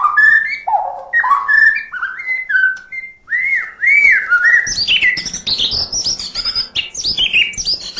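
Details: White-rumped shama in constant full-fill song: mellow whistled notes rising and falling at moderate pace, a short pause, then loud arched whistles and a run of high, rapid, varied twitters.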